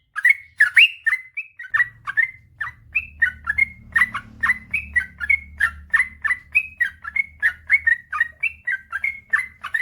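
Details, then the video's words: Persistent 'gacor' long-running song of a male sooty-headed bulbul, recorded to spur non-singing birds: nearly ten seconds of rapid, bubbly whistled notes in a steady chatter, with a low humming rumble underneath. "suara burung trucukan gacor ropel panjang"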